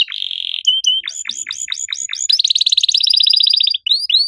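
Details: Domestic canary in riwik style, delivering cuit cuit notes and a long nembak: a buzzy opening roll, then rapid rising-and-falling whistled chirps, a fast rattling trill and sharp upslurred notes at the end.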